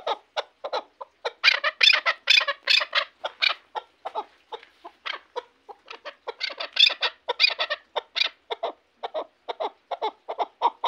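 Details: Chukar partridge from Shahritus, a hunting decoy bird, giving a long series of rapid, harsh, clucking chuk notes, irregular and bursting louder in the middle, with no other sounds.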